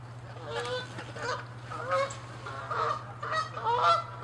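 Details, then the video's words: Canada geese in an aggressive, territorial fight, uttering loud nasal honks in quick bursts of two or three, growing louder toward the end, calls from more than one bird overlapping. "Geese fighting & honking loud sounds"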